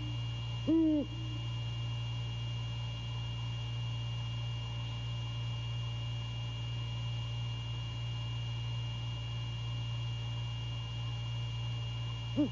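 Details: A male great horned owl on a late-night visit at 1:24 AM on 6 January 2022 at The Landings, Skidaway, Savannah, gives a single deep, soft hoot, with a second starting at the end, over an electrical hum.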